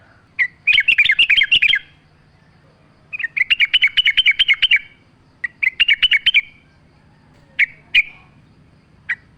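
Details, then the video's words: Yellow-vented bulbul singing energetically, offered as a lure to prompt other birds to sing, with nature sounds: bursts of fast, bubbly chattering notes in phrases about two seconds long, separated by pauses, then isolated sharp chirps. "100% AMPUH pancingan trucuk gacor mewah full suara alam"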